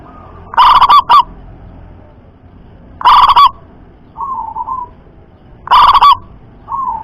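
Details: Loud-voiced local zebra dove gives three strong rolling coo phrases of rapid stuttering notes about every two and a half seconds, with softer drawn-out coos between them.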